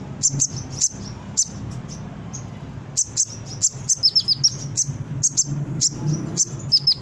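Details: Brown-throated sunbird, used as bait song to encourage birds to sing: high thin chips in loose series, some doubled, with a pause near the second second, over steady low background hum.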